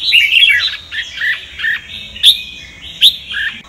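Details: Red-whiskered bulbul of the Sông Kon type singing a song meant for voice training: bright whistled and slurred notes, a quick chattering phrase at the start, then sharp high accents and falling whistles in short bursts.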